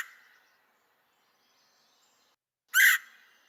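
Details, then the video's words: Red-headed Woodpecker call, described as a relatively soft, long single note, DuPage County: a fading note at the start, then one harsh, broad burst lasting about a quarter second near the end, trailing off. "is a relatively soft long single note call"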